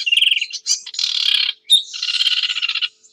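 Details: Sedge warbler song with a short whistled trill, then two long dry buzzy rattles separated by a sharp note. The rattles are rapidly pulsed and grating, set against otherwise silent surroundings.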